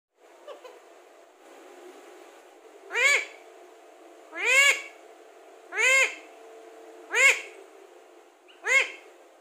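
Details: Alexandrine parakeet, kept as a talking parrot, giving five loud, harsh, arching rich-toned calls spaced about one to one and a half seconds apart, each rising then falling, over a steady low hum.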